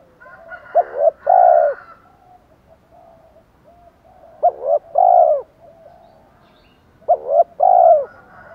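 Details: Spotted dove calling in the Thổ voice, fight-goading style, meant to lure wild birds: three phrases of paired short notes plus one long coo, roughly three seconds apart, faint higher tones in the background.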